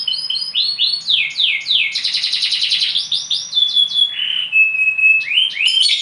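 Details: Bottle-green canary mixing rapid downslurred chirps, a dense buzzy trill and a long flat whistle, followed by more sweeping notes.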